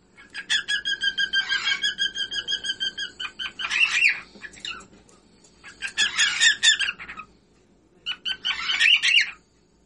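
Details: Whiteface pearl cockatiel singing: a rapid run of harmonic chirps for about three seconds, then bursts of harsh, buzzy warbling separated by short pauses, with a faint low hum underneath.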